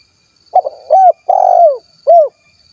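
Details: One full cooing phrase of a 'kuk 1' spotted dove recorded in Cilacap, Central Java. A quick stuttered note leads into a short coo, then a long purring coo that slides downward, then a clipped closing coo. A faint high hum sits in the background.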